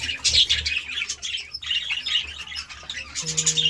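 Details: Budgerigars chatter in the morning in a busy stream of scratchy chirps and squeaky warbles, with a steady low hum near the end.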